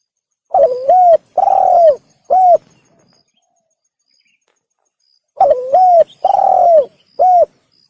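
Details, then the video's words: Spotted dove calling in a recording used as a hunting lure: two clean phrases about four seconds apart, each a wavering first coo, then a long mellow drawn-out coo and a short clipped final note, with silence between. "Pikat Burung Tekukur / Suara Burung Tekukur | The Sound of The Turtledove"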